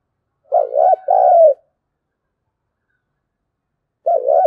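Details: Spotted dove giving the urging "thúc gù" coo in the field-dove voice, used as a lure so wild doves call back. A low, hollow two-part coo phrase is followed after a pause by another coo, against a silent background.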